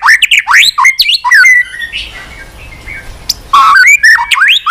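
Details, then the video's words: White-rumped shama singing at length with varied, unusual notes, tail flicking on its perch: rapid swooping whistles and sharp chips, a quieter gap of soft warbling, then another loud burst of rising whistles. "kích chòe lửa hót cực bền.hót liên tục"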